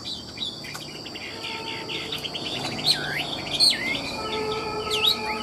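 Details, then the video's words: Caged Chinese hwamei offered for sale, a bird praised for nodding as it sings with fluent trills. Rich whistled phrases swoop and loop up and down, with bright slurred notes near the end over a steady high insect-like hum. "Họa mi đẹp hót hay, Cao cầu đuôi lá vả, Gật gù luyến láy hót như máy"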